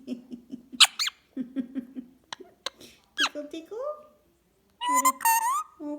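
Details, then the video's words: A pet recessive pied Indian ringneck parakeet, at night, says "you wanna cuddle cuddle" in a squeaky, clipped imitation of human speech, with sharp squeals and a rising whistle, amid its owner's voice talking of tickles and cuddles indoors. "Talking Ringneck Parrot"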